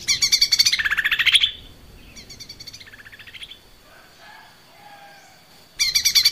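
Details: Singing Lesser green leafbird for cage-bird training: loud buzzy trills slur downward, then softer rattling phrases and faint whistled slides follow, and a sudden loud trill bursts in at the end.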